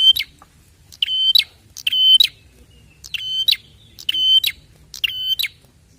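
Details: Prinia call played to draw prinias into answering: strident, buzzy two-part notes repeated in quick succession, about six bursts, clean and loud with little other sound.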